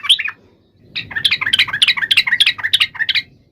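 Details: Combative yellow-vented bulbul song aimed at making listening bulbuls reply straight away: an opening flourish, a short lull, then a rapid chain of bright, bubbling, slightly buzzy notes in pulsing groups.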